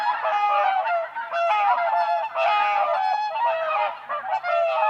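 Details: Whooper swans in spring on a frozen lake, dancing on the ice: a dense chorus of overlapping bugling, trumpet-like honks with rich harmonics, many birds calling at once almost without pause.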